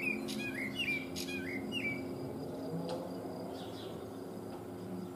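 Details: Eurasian blackbird singing live, filmed on a Panasonic HC-V180 camcorder: a quick run of clear fluted whistles sliding downward in the first two seconds, then fainter thin high notes, over a steady low background hum.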